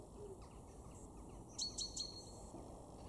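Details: A European robin in a garden in Weener, East Frisia, northwest Germany, in February 2023, gives three sharp, high ticks about a fifth of a second apart, over a low steady rumble of background noise.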